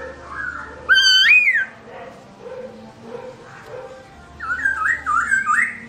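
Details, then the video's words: Black-throated laughingthrush singing while its owner is away, recorded 2017: a loud, rising whistled phrase with bright overtones near the start, then a quieter low murmur and a run of wavering whistled notes toward the end. "Bird Garrulax chinensis: Birdsong Chirping Melodious When The Owner Is Away"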